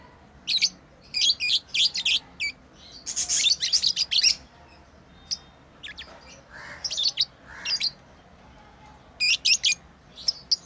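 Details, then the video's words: Pet lovebirds playing chirp busily, strings of sharp high notes in clusters, a dense run in the middle, then sparser notes and a final quick cluster. "Lovebirds playing & Chirping sounds"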